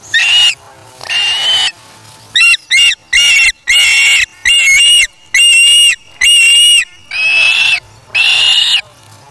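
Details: Nestling osprey taking a fish from its parent and then feeding alone, August 3, 2017: a steady series of shrill, harsh whistles, short clipped notes mixed with longer drawn-out cries, repeating about once a second.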